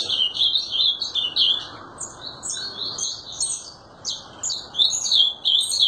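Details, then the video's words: Azulão in full song: fast, chattering runs of high warbled notes, briefly dipping quieter near the middle, then resuming in a busy, jumbled burst. "Azulão TERRORISTA Destruindo"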